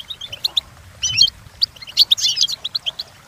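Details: European goldfinch song used for training, with bright tinkling twitters and short chirped notes in bursts, some dense liquid phrases, soft low rumble beneath.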